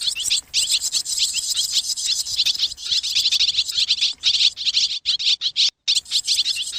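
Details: A flock of swallows settling to roost, used to attract birds: shrill, chattering chirps overlap constantly, broken by a couple of short drops toward the end.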